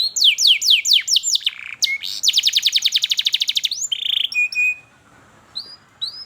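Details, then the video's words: Canary singing a lure song for young learners: a few looping descending notes, a rapid buzzy trill, a sustained rasping tone, then a short whistle and scattered high chirps. "KENARI GACOR PANJANG Cuit Cuit EMOSI, Pancingan Kenari Paud Belajar Bunyi"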